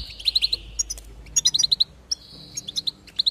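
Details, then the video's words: Goldfinch singing, played to stimulate song: rapid runs of bright, ringing chips in tight clusters of four to six notes, separated by short pauses. "increase the enthusiasm of the goldfinch and encourage it to song"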